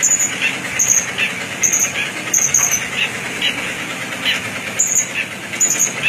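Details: Serkele bird singing: thin high whistled notes repeated roughly once a second, with rougher mid-pitched chattering bursts beneath, over a constant rumbling background noise.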